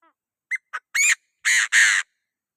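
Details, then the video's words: Chinese francolin calling to provoke other birds: a loud, strident series of five harsh notes, two short clipped ones followed by three longer, fuller blasts, closely spaced within about a second and a half, against a quiet background. "Suab noog qag qag qua zoo sim"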